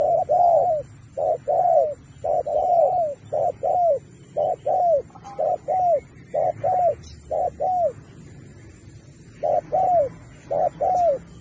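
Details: Spotted dove in a 2024 contest singing Thúc with Bo: a steady series of paired coos, a short note then a falling one, with a brief pause late in the sequence.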